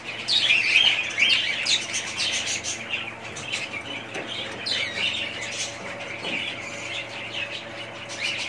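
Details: A family of budgerigars gives an opening burst of loud, rapid warbled chirps and squeaks, then settles into quieter, steady twittering chatter with occasional louder notes.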